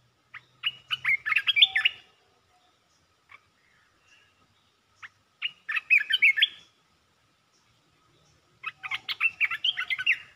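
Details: Red-whiskered bulbul delivering three separate bursts of lively, rapid warbled phrases, each lasting about two seconds, with short pauses and a few single chips between them.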